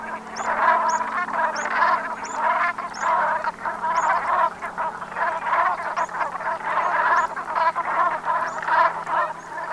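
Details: Brent geese flock calling in autumn at sunset, Gulf of Morbihan, Brittany, France, 7 November 2021; a continuous murmuring chorus of overlapping throaty, rolling calls, with faint higher notes above and a low steady hum beneath.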